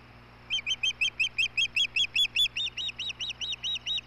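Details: Osprey at the Hellgate nest, May 17, 2016, filmed by a nest camera as the male brings dinner to the female. A fast run of about fifteen loud whistled chirps, each rising then falling, roughly four per second, over a steady low hum.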